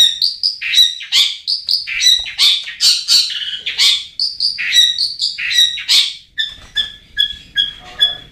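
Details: Lure song of a long-tailed shrike, used to make sluggish birds sing: loud, scratchy, varied phrases in quick succession, then a run of clear, evenly spaced whistled notes near the end.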